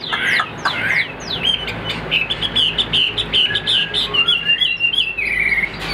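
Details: Tame Chinese Hwamei held in a cage, roughly 95% tamed, with a voice praised as very good, delivering a continuous bright whistled song of quick downslurred notes and wavering high phrases.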